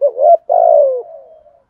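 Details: Cooing of a spotted dove in the 'thúc gù' style. A short, low coo leads into a longer, loud, throaty coo that slides downward and fades into a soft, trailing hum.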